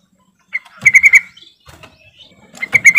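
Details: Yellow-vented bulbul calling to stir other bulbuls into singing: two lively bursts of four or five quick, bright bubbling notes separated by softer scattered chirps.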